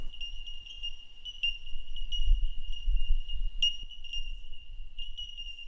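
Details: Bell Miners (bell birds) in a colony high in the eucalypt forest canopy on the eastern slopes of the Great Dividing Range give clear, ringing single-note pings, several overlapping at an uneven pace of a few per second, over a low wind rumble.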